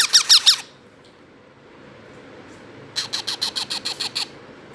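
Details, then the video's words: Hand-fed baby parrots, a pair only two months old, give begging calls: four grating high-pitched squawks, silence for two seconds, then about ten rapid harsh rasps in a quick run. "Baby parrot voice and baby parrot hand feed"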